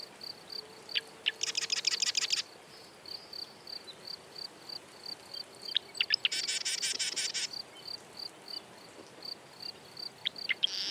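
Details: Marsh wren of North American wetlands giving two dry, buzzy, rattling trills about four seconds apart, over a steady, rhythmic high pulsing like an insect chorus.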